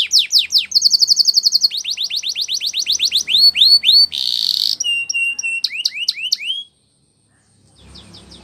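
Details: Spanish Timbrado canary song for training, switching between tours: rapid downward-swept notes, a steady high buzzing roll, a harsh noisy burst, clear whistled pipes, then silence near the end.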